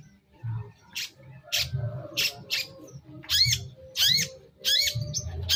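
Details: Long-tailed shrike used as a lure to provoke replies: harsh, raspy bursts repeated roughly every half second to second, later ones with a ringing upward-curving tone, over low background rumble.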